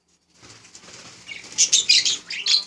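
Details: Budgerigars chattering in bright, rapid, buzzy bursts that grow louder through the second half, with faint rustling at the start.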